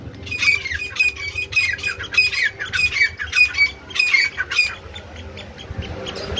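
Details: Black francolin calling: a rapid series of harsh, grating squawk notes, about nine in five seconds and steady in rhythm, followed by a quiet end with faint low background rumble.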